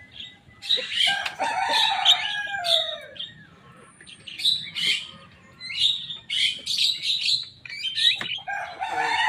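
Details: A young Javan myna in mimicking song: a continuous jumble of squeaky, rasping and whistled notes in irregular clusters, with a steady low background rumble.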